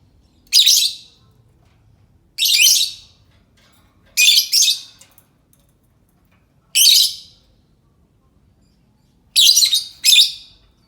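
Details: Lovebird giving calls used to lure other lovebirds: piercing, rasping screeches in irregular bursts, several given as quick doubles, roughly every two seconds, with a faint low rumble underneath.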